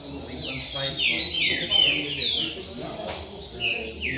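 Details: Caged double-collared seedeaters in a singing circle: a short burst of loud, downward-sweeping whistled notes and fast chirps from several birds at once, dense and overlapping throughout.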